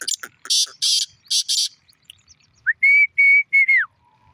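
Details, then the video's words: Harsh, rasping series of four buzzy bursts from a black francolin, then a separate clear whistle held across three linked notes that finally slides downward. "Kala teeter ka awaz"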